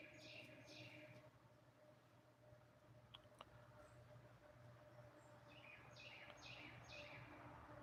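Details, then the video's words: A bird gives two short bursts of quick, high chirps about a second apart, half-lost under a steady low electrical hum. "Yo, can you hear that bird in the background?"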